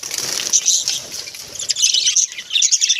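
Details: Budgerigars kept indoors as pets chirp and warble in high, rapid twittering phrases, with a faint low rumble underneath.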